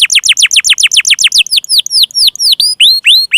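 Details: Canary song to encourage lazy or young canaries to sing: a rapid series of steeply falling notes, slowing into spaced, curved whistled sweeps.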